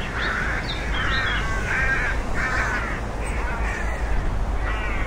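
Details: Rook uttering loud, raucous caws in a rapid irregular series, each note coarse and nasal, set against a continuous low background rumble.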